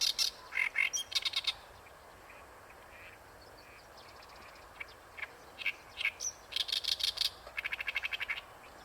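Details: At Ikeshima an Oriental reed warbler delivers loud, grating repeated notes in bursts, with a pause between phrases before another rattling run of rapid strokes.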